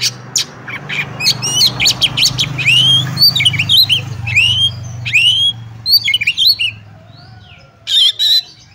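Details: Oriental magpie-robin (kacer) in fighting song for testing other birds: a fast stream of sharp chips and looping whistles, then scattered notes and a final harsh burst, over a low background hum.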